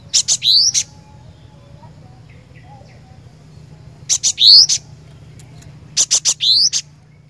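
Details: Cinereous tit in energetic song gives three similar phrases over seven seconds. Each has quick high ticks and a short upward-sweeping whistle, with quiet intervals between.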